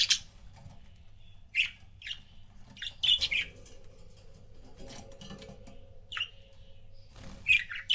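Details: Pet budgerigar couple making sparse short chirps and a brief warbled burst, with soft rustling and knocking sounds in between.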